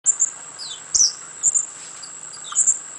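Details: A young spotted sandpiper in a rehab flight cage gives thin, very high peeps in short bursts every second or so, over a steady high-pitched insect-like whine.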